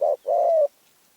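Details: Spotted dove of Phrae, Thailand, with a small, fierce voice. It gives a single couplet, a short soft coo followed by a longer, smooth, slightly falling one, then silence.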